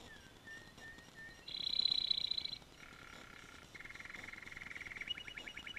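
A canary sings a rolling song: a few short whistles, then a high rapid trill, then lower buzzy trills of fast-repeated notes, each phrase held about a second.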